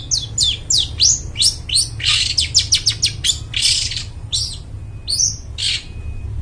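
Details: Long-tailed shrike in full song, offered as a forest bird lure: rapid, varied phrases of steeply falling whistled sweeps and raspy bursts, crowded at first, then thinning out with pauses, above a steady low rumble.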